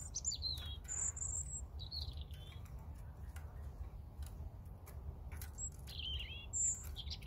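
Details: European robin song in short bursts: high pure whistles alternate with lower warbled, downslurred phrases, separated by brief pauses, over a steady low rumble.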